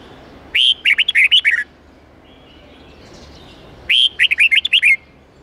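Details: Red-whiskered bulbul singing a wild-style song of eight to ten notes as a model for young learners: two matching phrases roughly three seconds apart, each opening with a long whistle and rushing into short, twisting, chirpy notes.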